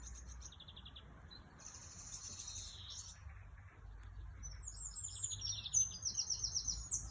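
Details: Singing bird with high buzzy trills early on, then a louder run of sharp twittering notes and fast rattling phrases toward the end, against a soft low background murmur.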